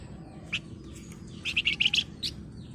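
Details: {'text': 'Golden-bellied gerygone chattering: a single chirp, then a quick run of five or six bright notes and a final sharp note, over faint low background noise.'}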